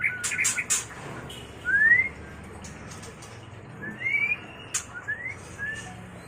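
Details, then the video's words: Mating call of a white-rumped shama: a few sharp clicks at the start, then separate clean upslurred whistles spaced out over several seconds. "Suara murai batu kawin"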